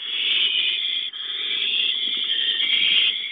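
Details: At a nest receiving a gopher, an owl gives an almost unbroken harsh hiss lasting over three seconds, with one brief dip near the middle.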